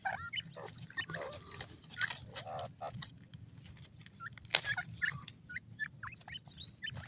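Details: Francolin chicks, teetar, kept in captivity, giving many short high chirping peeps, some rising and some falling, scattered irregularly over low background rumble, with a brief loud click near the middle.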